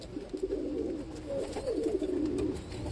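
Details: Pigeon cooing beside an ash-coloured baby pigeon: soft, low, burbling coos running steadily throughout, swelling slightly in the second half.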